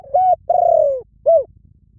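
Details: Spotted dove cooing: a level held note, a long mellow coo gliding downward, then a short arched coo, with a faint low rumble in the background.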